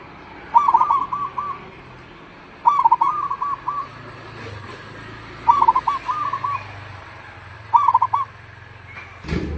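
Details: Caged local zebra dove singing strongly during the rainy season, giving four bursts of rapid, bubbling coos roughly every two seconds over a faint low hum. A sharp knock ends the recording.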